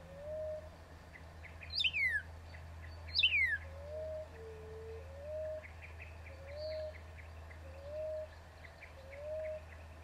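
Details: Northern cardinal singing two loud, clear whistles that sweep steeply downward. Another bird's soft, low rising whistles repeat every second or so, with a steady hum in the background.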